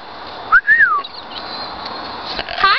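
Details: Pet talking parrot at home, mimicking speech with its owner: clear whistled notes, a short rising tone then a longer falling slide, later a brief squeaky whistle, with a steady room hiss.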